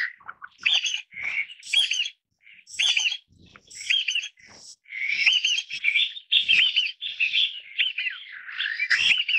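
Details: Taiwan bamboo partridges as a family group in Taiwan's forests, calling in rapid squeaky, wavering chatters, short phrases repeated with small gaps, growing denser toward the end.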